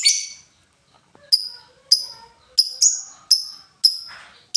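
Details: Lovebird ticking in a ngetik pattern: clean, sharp, high metallic clicks repeated roughly every half second after a brief pause, with faint low background sounds.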